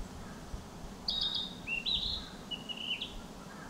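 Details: Narcissus flycatcher in spring forest giving a phrase of three clear whistled notes, each a short level or slightly rising tone with a flick at the end, spaced about three quarters of a second apart over quiet low rumble.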